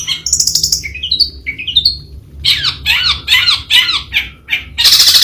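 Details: Long-tailed shrike song with a series of short rising whistled slurs, followed by scratchy downward-sweeping chatter notes and a final harsh buzzy burst, recorded close against a quiet low hum.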